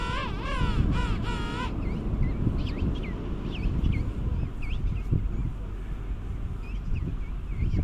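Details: Penguin giving loud braying calls with wavering, rising and falling harmonic notes in the first two seconds, then scattered short squeaky calls over steady wind and a low rumble.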